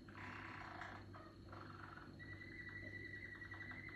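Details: A young Malinois canary (Serinus canaria) sings an immature, still-developing song: a low, rough burble, then a long steady whistled tour, over a low electrical hum.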